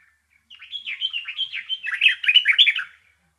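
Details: Bulbul chirping: a fast, continuous warbling run of twisting whistled notes, getting louder and richer in its second half before stopping abruptly.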